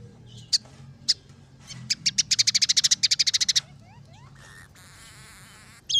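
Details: Scaly-breasted munia (emprit peking) singing a tutor song mixed with sparrow, red siskin and canary phrases. Isolated sharp chips lead into a fast run of high ticking notes, then soft sliding whistles and a buzzy rattling trill.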